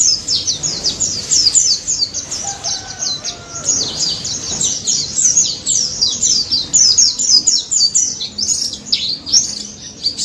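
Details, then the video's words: A daput white-eye in full ngalas song, played to prompt silent white-eyes into singing: a long, unbroken stream of very high, quick chirps and trills, dense and jittery throughout, with faint low background hum. "BURUNG PLECI DAPUT GACOR NGALAS NEMBAK"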